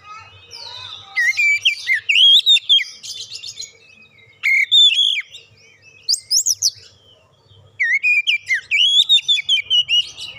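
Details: Oriental magpie-robin lure song for drawing out another bird's full repertoire: three separate bursts of rich warbled whistles mixed with harsher chattering notes, with brief quiet spells between them.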